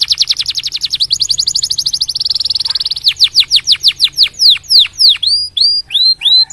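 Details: Singing canary, played to get other canaries singing: a rapid high trill that speeds into a dense buzzy roll, then slows into loud, spaced downward-sweeping notes and looping upturned whistles.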